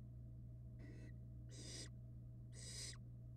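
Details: Barn owl nestlings on a nest-box camera, hatched in February 2022: a softer hiss followed by two louder, rough snoring hisses in quick succession, each ending with a slight downward slide, over a low steady hum.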